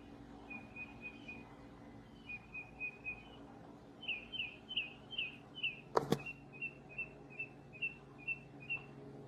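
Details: A gray catbird singing like a mockingbird, mimicking other birds, gives quick runs of short, bright chipping notes and then a few slurred, warbling phrases over a steady low hum, with one sharp knock.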